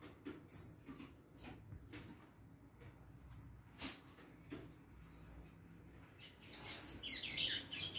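A young double-collared seedeater tries out scattered high, thin notes, then a brief burst of jumbled twittering near the end, among soft clicks and knocks.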